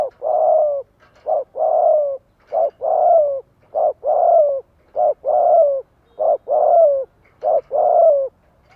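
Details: Cooing decoy spotted dove meant to trigger answering calls from wild doves. Paired notes, a short coo then a longer falling coo, repeated steadily about every 1.2 seconds, loud and close.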